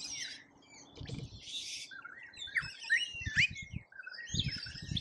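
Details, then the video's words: Australian lorikeets in a feeding frenzy at a feeder: several birds chatter with buzzy, grating squawks and rising shrill notes, overlapping irregularly, while low bumps and scratching sounds come from the feeder. "Colorful Chaos Lorikeets Feeding Frenzy"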